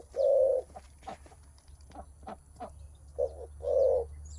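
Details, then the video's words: Spotted dove cooing on meeting a rival, a call mostly given by males ready to test their strength; a low hooted coo opens, soft brief ticks follow, then a short and a longer coo close, over a steady low hum. "Suara menguku terkukur"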